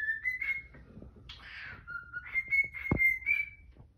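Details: Pet cockatiel singing a tune in the morning, indoors in a small room: long clear whistled notes near steady pitch with a couple of rising slurs and a brief harsh squawk in the middle; faint background thumps.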